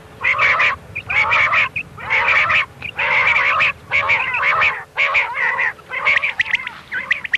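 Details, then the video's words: Common quail 'miankan' call for night hunting: a run of eight dense nasal, buzzy bursts, each about half a second long, repeated about once a second, over a steady low electrical hum. "Batair ki miankan wali awaz Raat k liye | quail sound for hunting"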